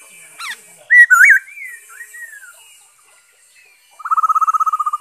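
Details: Black-throated laughingthrush song from 5 May 2021: a few loud, twisting whistled notes followed by a softer, drawn-out slurred whistle. After a pause comes a rapid, even trill of about a dozen pulsed notes.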